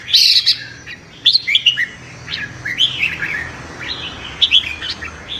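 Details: Competitive morning song of a red-whiskered bulbul: a loud, sharp opening phrase followed by softer chirpy, slurred notes.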